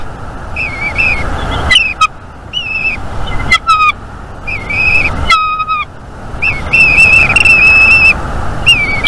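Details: Wild bald eagles at their nest in northeast Florida, mating on a live nest camera at 8:06 AM on 28 January 2022, one having brought in fluff: bright whistled chirps with harmonics, repeated in bursts and trills, over steady broadband background noise.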